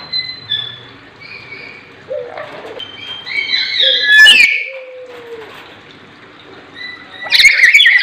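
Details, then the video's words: Lory giving harsh, raspy squawks: a loud broadband burst near four seconds and another near the end, between quieter scattered chirps and short whistled notes. "suara burung Nuri"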